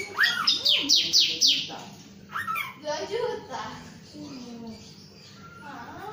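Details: Male Chinese Hwamei singing at length: a run of loud, quick whistled notes sweeping downward, repeated four times, then softer varied warbled phrases and lower slurred notes.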